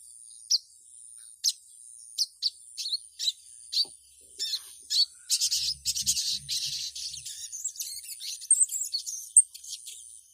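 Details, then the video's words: Female ruby-cheeked sunbird calling a male: single sharp, high chips spaced about a second apart, then a fast, dense burst of high twittering chatter, ending in scattered squeaky notes. "SUARA SOGON BETINA MEMANGGIL JANTAN"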